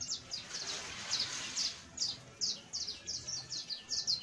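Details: Young saffron finch giving its first songs, trills and chattering: a rapid series of high, thin chirps and short buzzy notes, irregularly spaced, about two per second, with faint background hiss.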